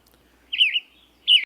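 Western Tanager singing two short, hoarse, burry phrases about half a second apart, each slurring slightly up and down. Nothing else is heard.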